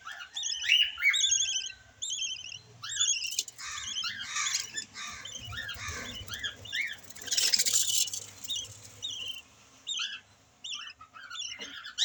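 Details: Yellow-collared lovebirds with a new baby chick: dense, high, sharp chirps and squeaky twittering notes from several birds, overlapping and uneven, with a burst of rustling noise midway.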